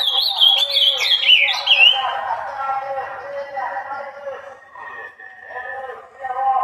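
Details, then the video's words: Ultramarine grosbeak song used to prompt other azulões to sing: a quick run of rich, slurred whistles rising and falling for about two seconds, then lower, softer warbles. "CANTO PARA LEVANTAR AZULÃO"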